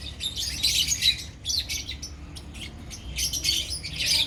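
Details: Lovebirds of a colony give rapid, piercing chirps and squeaky chatter in short overlapping bursts, with thin whistled notes woven through.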